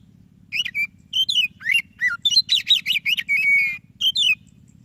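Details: White-breasted Oriental magpie-robin singing vigorously as a prompt for lazy singers: varied whistles, downward slurs and a quick burst of repeated chirps ending in a long steady whistle, faint hum behind.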